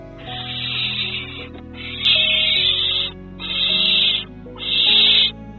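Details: Female barn owl that has called for weeks since her mate died, while an unknown male visits her nest, gives four harsh, breathy hisses of nearly a second each, about one per second, in July over soft music.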